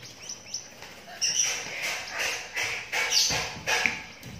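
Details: Lovebird chick aged twelve days making a series of short, rasping, hissy bursts about every half second, with soft scratchy noises between them.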